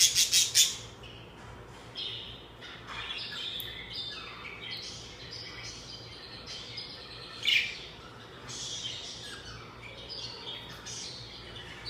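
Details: Budgerigar chirping in the morning: busy stream of short high warbling chirps and squeaky notes, several sharp loud bursts at the start and another near the middle, over a low steady hum.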